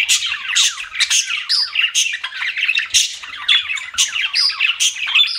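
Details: Pet budgies chatter in bursts of squeaky chirps and harsh squawks, with quick descending warble notes and short, sharp high accents recurring roughly every half second.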